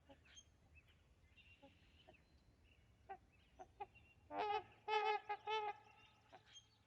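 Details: Trumpeter swans taking off at Rifle Lake on April 28, 2020; faint scattered notes build to loud nasal honking calls, several in quick succession near the middle, then fade.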